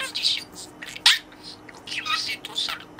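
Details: Indoor caged budgerigar talking to its toy friend with words it has learned, soft murmured speech-like phrases broken by one sharp, loud squeaky note near the middle.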